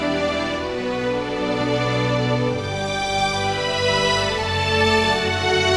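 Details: Soft, sustained new-age background music with layered tones throughout and no animal voices.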